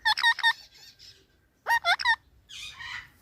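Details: Parrot said to be talking, with two clusters of rapid bent harmonic notes, each three or four syllables, followed by a rough, breathy squawk.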